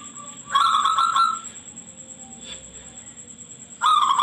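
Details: Local zebra dove with a shrill voice, used as a lure to coax other zebra doves into answering and singing: two bursts of rapid, stuttering cooing notes, each under a second long, separated by about two and a half seconds of quiet.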